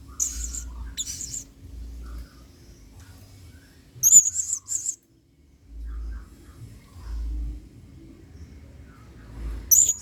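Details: Blue-crowned hanging parrot giving singa style song as a training model for other birds; a few scattered shrill buzzy bursts with high squeaks, separated by long quiet stretches with soft low thumps.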